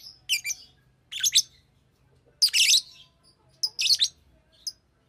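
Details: Shrill, buzzy chirps and squawky bursts from a pet Fischer's lovebird, several notes in pairs, with a longer rasping call midway; low hum in the background.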